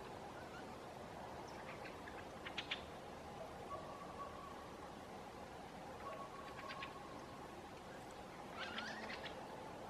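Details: Fieldfares in late summer in Southern Ostrobothnia, Finland, give three faint bursts of harsh, rapid chack-chack chatter over the steady rumble of a passing airplane.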